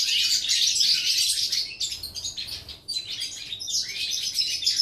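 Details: European goldfinch, 11 September 2018: bursts of bright twittering separated by short pauses, with rising and falling chirps and a quieter gap near the middle.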